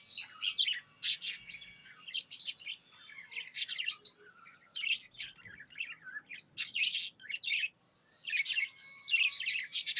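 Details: Happy pet budgies chirping continuously: rapid scratchy chatter, squeaks and sharp chips in dense runs, one brief silence near the end.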